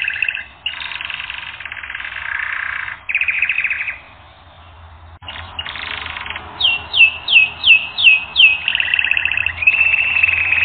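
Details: Training recording of canary song: fast trilled phrases, a brief pause mid-way, then a run of sharp descending whistles roughly twice a second before a bright sustained roll.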